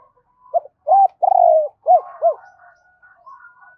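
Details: Spotted dove calling its mate with a fast rousing coo meant to stir wild doves. A short note, a rising coo, a long quavering coo and two arched coos. A softer dove answers faintly afterward.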